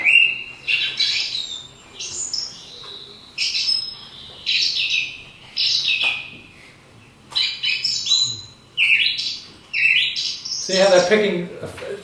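A song thrush sings loud, varied phrases of bright whistles and harsher chirps, most phrases repeated two to four times before it switches to a new one, with short pauses between.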